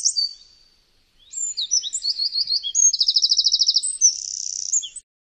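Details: Eurasian wren song, loud and very high: sharp opening notes, a pause, then a fast tumbling run of twitters leading into a rapid, evenly pulsed trill and a buzzy, rattling close. No other sounds.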